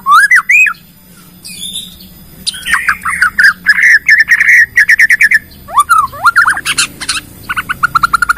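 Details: Lure song from a Bornean white-rumped shama showing off its repertoire to get other shamas singing: rising whistled slurs, a run of rapid warbled notes, bursts of high clicks and a fast trill at the end.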